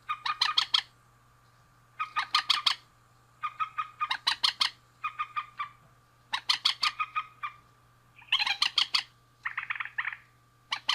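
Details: Male and female rail calling in regular bouts about every two seconds. Each bout is a tight, raspy rattle of several fast strokes, and the last is a shorter grating roll.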